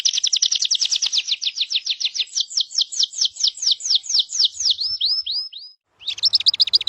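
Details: A bird delivers a fast, rapid trill of sharp downward-slurred chirps, nearly four per second, slowing slightly before a brief pause and a fresh burst of high chirps.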